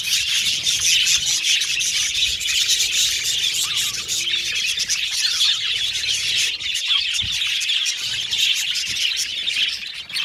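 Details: Caged budgerigars in an aviary colony, singing and chirping while playing with the cage; a dense, continuous chatter of high warbles and chirps from many birds, with a few sharper squeaks standing out.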